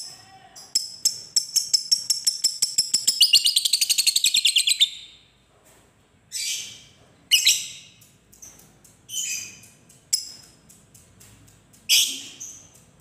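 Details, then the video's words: Lovebird of the fighter type giving a long ngekek: a fast, accelerating run of sharp high chirps lasting about five seconds, followed by shorter separate bursts of harsh chatter at irregular intervals. "Masteran Suara Lovebird ini mampu membuat Lovebirds anda jadi Gacor"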